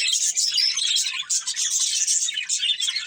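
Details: Budgerigar breeding pair keeps up rapid, high-pitched chattering, with busy overlapping chirps and squeaky warbles running without pause.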